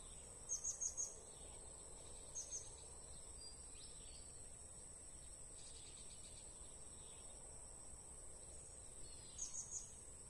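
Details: Blue-crowned hanging parrot recorded during bird trapping: quick bursts of three to four sharp, very high, thin notes at the start, again near two and a half seconds, and at the end, over a steady shrill insect drone.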